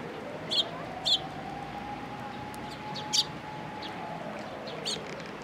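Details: Sparrows coming to a post to be fed at a Tenmangu shrine, 22 October 2022: a few short, sharp high chirps spaced irregularly, over a steady humming tone and background rumble.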